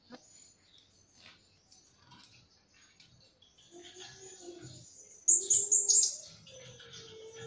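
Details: Trapping lure recording of a blue-crowned hanging parrot. After a quiet stretch of faint chirps and a low warble, a burst of three loud, thin, high-pitched squeaky notes follows.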